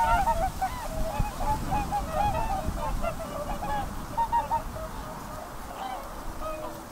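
A flock of whooper swans gives loud, bugling honks that overlap constantly, some rising, some falling. A steady low rumble of wind or distant noise runs beneath.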